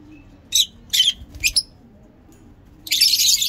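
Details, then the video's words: Breeding lovebirds of various mutations calling with loud, piercing high chirps, three quick separate bursts, then a longer harsh, scratchy screech, while soft low cooing runs underneath. "Lovebirds singing lovebird talking"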